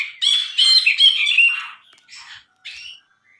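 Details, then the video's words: Loud harsh Brinji bulbul phrase: a burst of raspy, squawking chatter lasting about a second and a half, followed by two short, softer scratchy notes. "MASTERAN BRINJI GACOR"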